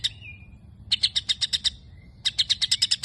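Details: A white-rumped shama sings imitated sparrow chatter: a short thin whistle, then two dense bursts of crisp chirps about ten per second, with a faint low background hum.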